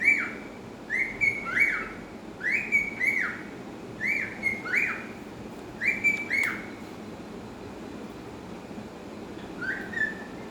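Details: A pet cockatiel whistles a newly learned song of short, clear notes that swoop up and down in quick bursts.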